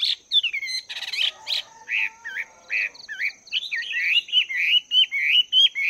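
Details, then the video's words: Morning voice training of a wild-caught Chinese hwamei kept caged for two months: a rich varied run of loud slurred whistles, buzzy bursts and rapid down-and-up swoops, accelerating into a quick string of bright repeated phrases. "Chim Hoạ Mi Mộc VIP 2 Tháng Lồng Luyện Giọng"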